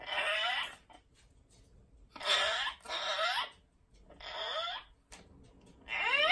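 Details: Amazon parrot in a small room screeching repeatedly: five loud, harsh, rasping squawks in quick succession, each around half a second long with a downward-sweeping edge, separated by short pauses with faint room noise.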